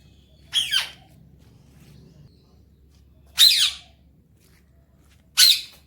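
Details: Alexandrine parakeet, a pet talking parrot, enjoying morning time; three harsh, loud screeches spaced about two to three seconds apart, the first doubled.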